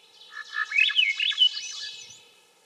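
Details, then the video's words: Upward-spiralling flute-like song of a Swainson's thrush, a quick run of whistled notes climbing higher through the phrase before trailing off, clean and unaccompanied. "Swainson's Thrush - Bird Sounds"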